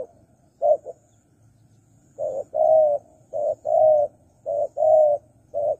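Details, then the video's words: Spotted dove calling, played as a lure to draw in wild doves: low, hollow cooing notes in short groups, a brief coo followed by longer drawn coos, phrases separated by pauses, over a faint low hum. "Pikat Tekukur Burung Liar Kurang Galak"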